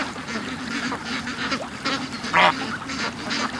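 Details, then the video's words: Flock of pet ducks rushing from the pen to the creek in the morning; a dense, rough chorus of overlapping quacks, with one louder, sharp quack standing out midway. "Ducks At The Creek Morning Rush"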